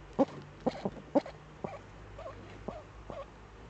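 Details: Eurasian eagle-owl pair, both back, in the Eifel, Germany, evening of 11 March 2013 at 18:47. Three sharp, clipped calls come about half a second apart, followed by faint thin wavering notes.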